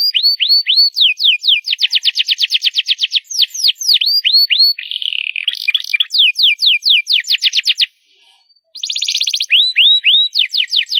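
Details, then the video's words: Canary singing loudly: fast series of repeated high sweeping notes, stretches of rapid buzzy trills and rolling tours, changing phrase every second or two, with a brief pause near the end before the rapid notes resume. "CANARY SINGING LOUD!!"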